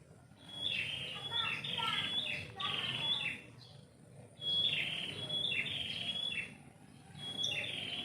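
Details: Melodious morning bird song from a yard tree: bouts of rapid whistled, downward-sliding phrases separated by brief pauses of about a second, a steady high tone beneath, faint low noise.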